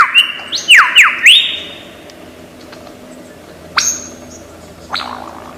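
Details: Lyrebird, a bird of Australian forests known for mimicking many sounds. It gives pure whistled notes that sweep down and back up several times, then a long high tone, with a few sharp rising notes after a quiet gap.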